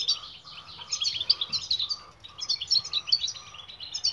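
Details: European goldfinch song for training silent birds to sing: fast liquid twitters and tinkling notes in quick bursts, with a faint lower hum running underneath.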